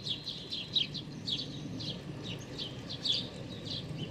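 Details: Pale-feathered hungry young sparrow begging, recorded 16 May 2019; quick run of thin, high chirps in a rapid irregular series, with low rumbling background noise underneath.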